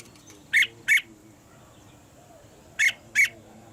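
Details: Caged female red-whiskered bulbul calling to push the male to sing harder: two pairs of short, harsh, buzzy notes, each pair quick and doubled, separated by about two seconds of quiet.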